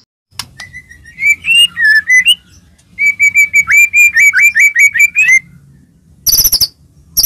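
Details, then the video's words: Murai batu (white-rumped shama) song used to provoke other shamas into singing: a rapid run of clear whistled notes near one pitch, slurred rising and falling, in two bursts, followed by harsh buzzy chatter. "murai batu gacor, AMPUH buat pancingan murai batu agar bunyi"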